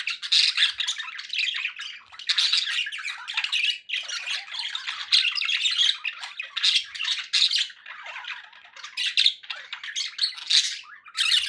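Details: Pet budgerigars, kept as company for other parrots, chatter without pause in a dense, scratchy warble of squawks, clicks and rapid twittering notes, with short bright squeaks rising above the flow.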